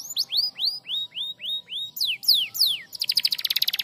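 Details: Canary singing a training song meant to make silent canaries sing again: a series of rising whistled slurs, then steep falling sweeps, ending in a fast high rattling trill.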